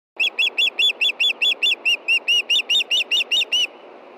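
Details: Female osprey at a Montana nest calling for fish before dark at 9:53 p.m. in June while her mate fishes nearby: a rapid series of about sixteen clear, high, piping notes, evenly spaced, each slightly arched, steady background hiss.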